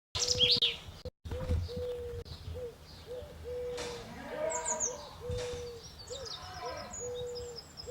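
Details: Unidentified bird singing in a tree in Normandy: low, steady hooting notes of even pitch, each under a second long and repeated in a loose series, with faint high chirps from other birds behind.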